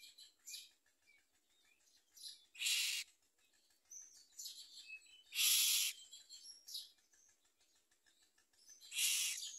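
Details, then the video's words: Baby common mynas with their mother, eating little and pecking at her; three loud raspy hissing bursts spaced about three seconds apart, with thin high chirps and squeaks between them. "Common myna Baby Birds eat less and want to bite their mother"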